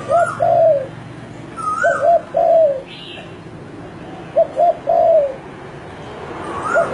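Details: Spotted dove singing: repeated three-part cooing phrases, two short soft coos then a longer falling coo, given about every two seconds, with a faint higher note between phrases and quiet background hiss.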